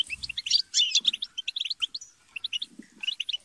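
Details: Several kept European goldfinches chattering and squabbling to spur singing: quick high twittering bursts separated by short pauses, with faint low rustling underneath.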